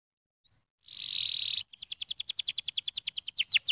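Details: Canary giving a stimulating song: a short buzzy rasp, then a quick train of descending chirps about three per second, with faint background hum.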